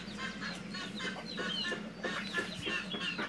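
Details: Captive-bred red junglefowl at a breeding farm in Mukomuko, Bengkulu: a dense chorus of quick, overlapping high peeps and clucks from several birds over a steady low hum.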